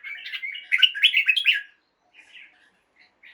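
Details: Red-whiskered bulbul song for morning stimulation of caged birds: a continuous rich warble of mixed whistled notes lasting about a second and a half, then a few quiet trailing chirps.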